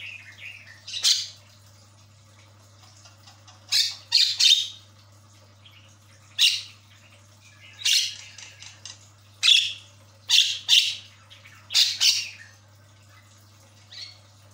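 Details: Javan myna lure song to get a stalled bird chattering: harsh, grating squawks in single notes and quick doublets, repeated every second or two, over a constant low hum.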